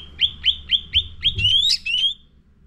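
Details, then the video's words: Sooty-headed bulbul (cucak ranting) lure song for training caged birds: five evenly spaced hooked chirps about every quarter second, followed by a rising drawn-out whistle and two slurred notes. "Pancingan Cucak Ranting Gacor Isian Full"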